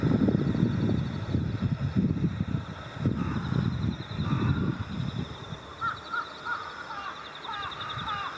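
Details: Mixed flock of Jungle Crows and Carrion Crows in a preroost gathering on electric cables in Japanese countryside at dusk in early October, calling one another. Several short caws come late in the clip over loud low rumbling traffic-like noise and a steady high hum.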